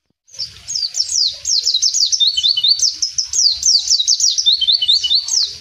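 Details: Ngalas song of a wild mountain white-eye, starting after a brief silence, then a dense stream of high, rapid slurred chirps and trills, with light low background noise throughout.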